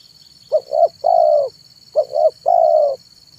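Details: Zebra dove decoy song recorded in the afternoon: two rhythmic phrases, each a double short coo followed by a sustained burry coo, under a continuous high tonal hum.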